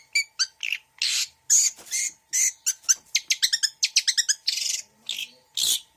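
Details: Long-tailed shrike in a full mixed fill-in song: a varied string of scratchy rasps, pure high notes and a fast run of rapid ticking clicks, delivered almost without pause.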